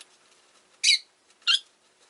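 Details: Two harsh, high chirps about half a second apart from pet rosy-faced lovebirds, five birds kept in a cage beside a window, with a quiet room behind.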